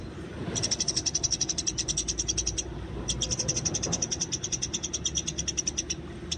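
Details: Wild Eurasian tree sparrows fighting, recorded as a training source: two long bursts of rapid, thin, high chirping. A short pause separates the bursts. A low hum runs underneath.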